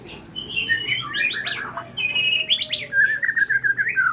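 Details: White-rumped shama of the Medan type, in a bowing display. Sustained whistles lead into a cascade of rapid descending notes, then a fast chattering trill, sung as a lure to train young birds.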